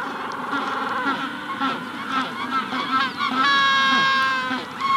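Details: At a Magellanic penguin colony during the hatching stage, quick stuttering honks give way to a long, loud, harmonic bray. Other penguins call underneath, and a rufous-collared sparrow is in the background.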